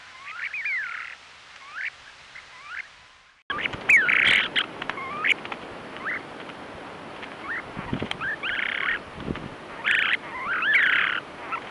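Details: Trail camera recording of western snowy plovers at Ormond Beach, Oxnard, California, 2018 nesting season: curved slurred whistles and rasping buzzy notes, quiet at first, then louder after an abrupt cut with added background noise.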